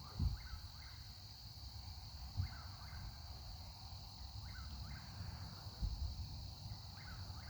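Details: On a southern forest night, a distant Eastern Whip-poor-will calls from across the trees, repeating its rhythmic three-note whistle about once a second, faint behind a steady insect drone, low rumble and a few phone-handling bumps.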